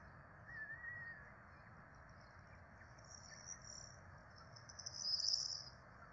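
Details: Begging from Peregrine falcon chicks, a brood of four fed at the nest in Rome on 12 April 2024: faint high squeals rise into one louder, strained whine near the end, over background hiss.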